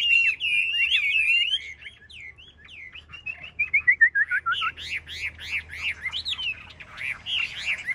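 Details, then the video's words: Caged Chinese hwamei in a contest-singing session: rich warbled whistles give way to a descending string of quick notes, then a fast series of loud, rising-falling whistled syllables, several per second. "Họa mi hót đấu giàn"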